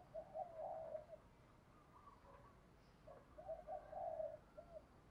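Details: Spotted dove singing a full calling song in the 'thổ' voice, 'thúc gù' style, meant for training newly caught birds; two faint phrases of mid-pitched coos, each ending in a longer drawn coo, over steady background hiss.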